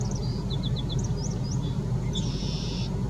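Yellowlegs giving thin, high whistled notes, a quick run of four falling tews, then a longer buzzy trill, over a steady low rumble of wind or traffic.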